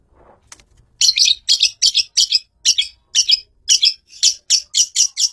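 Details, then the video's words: Long-tailed shrike master bird giving a steady series of rasping, scratchy chirps, about three to four each second, after a brief quiet start. "MASTER BIRD CHIRPING THE LONG TAILED SHRIKE FULL 30 MINUTES FIGHTER"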